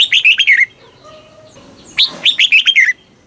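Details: Caged red-whiskered bulbul from Thailand singing southern master-song style phrases used to excite caged birds and tutor young birds; two rapid runs of clear, falling whistled notes, with a soft even hum between the phrases.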